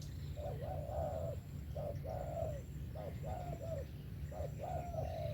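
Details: Spotted dove repeating its 'về tàng kèm 123' phrase five times, each a quick hooked coo leading into a longer, level-then-falling coo, steadily spaced, against continuous low-pitched rumble.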